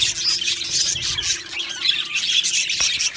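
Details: A flock of pet budgies makes loud, dense chatter, with rasping warbles, short whistled slurs and chirps overlapping, plus a sharp click near the end.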